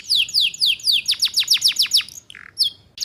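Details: Canary lure song for young birds: several long descending slurred whistles, then a quick run of sharp downward notes, and a few soft chips.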